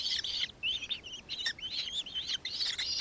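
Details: Nankeen kestrel calling in Victoria, Australia, on 4 December 2024: shrill, high chattering notes with bright overtones, run together in uneven bursts with brief gaps.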